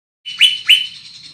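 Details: Large-bodied greater green leafbird with a loud, far-carrying voice gives two ringing whistled notes sweeping sharply upward, about a third of a second apart, trailing into a thin sustained warble.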